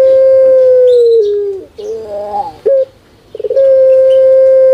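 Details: A kept puter pelung from Java holds a long smooth hoot that drops in pitch, follows it with a gurgling wavering roll and a clipped note, then stutters before another extended steady coo.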